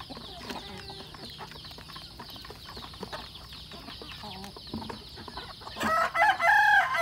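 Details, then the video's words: Chickens eating food murmur soft, low clucks through a busy, scratchy background, then a louder burst of harsh, rising squawks near the end. "chicken sounds"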